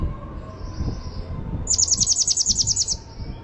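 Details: Java sparrow giving a fast run of about a dozen sharp, high chipping notes in the second half, each evenly spaced, over a low rumble of background noise.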